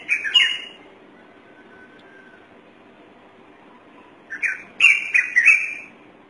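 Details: Thick-knee calling: a short burst of shrill, harmonic-rich chirps near the start, then a quiet pause with faint background hiss, followed by a louder cluster of rapid, harsh whistled notes about a second long toward the end.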